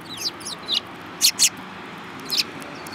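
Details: A group of Eurasian tree sparrows, one yellow-beaked, recorded 7 March 2018: a few thin downslurred chirps, then two loud clipped notes in quick succession and a last chirp.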